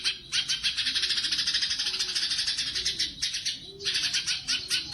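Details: Sumatran leafbird singing actively in the 'tembakan' style, used as master training audio for competition birds: dense, fast, buzzy chattering notes run almost nonstop, briefly pausing before another burst of rapid high trills.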